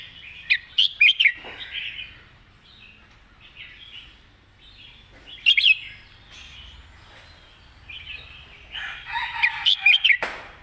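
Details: Red-whiskered bulbul singing a clear, well-articulated 'master song' (phleng mae bot) style phrasing: short bursts of rich, rapid whistled notes around 0.5, 1, 5.5 and 9.5–10 seconds, with softer warbling between, quiet background.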